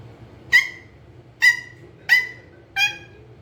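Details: Pet green ringneck parrot repeating harsh, rasping squawks, four in a row at uneven gaps of under a second, each a loud burst that drops off quickly, in a quiet room.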